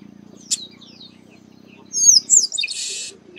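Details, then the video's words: Song of the chestnut-capped blackbird, known as Garibaldi or Baia de Chiqueiro: a single snap, a low steady hum, then sliding high whistles that run into a rough, hissing buzz near the end. "Garibaldi Cantando"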